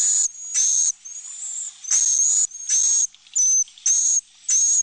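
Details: Swiftlet roosting sound for a nesting house, intended to make the birds feel secure: a run of rasping buzzy bursts about a third of a second long, spaced irregularly, each carrying a faint high whistle.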